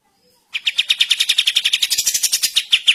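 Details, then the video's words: Kapas tembak bulbul from a songbird-training recording, starting abruptly: a rapid, unbroken string of loud chattering notes, roughly eight per second, harsh and buzzy throughout. "KAPAS TEMBAK GACOR DORRRR masteran handal untuk semua burung"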